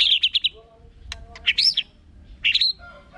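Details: White-rumped shama song with a rapid burst of harsh high chattering notes, then sharp clicks and a looping whistled upsweep, another rough phrase and soft low whistles; quiet background hum.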